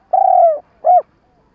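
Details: Lure spotted dove for trapping, calling with a long, slightly falling, low coo followed by a short arched note after a brief gap.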